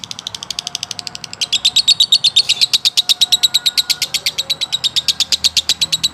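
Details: Male lovebird giving a long konslet, ngekek-style song: a fast, steady series of sharp, high chattering notes, about three per second, building louder after the first second and running without a break.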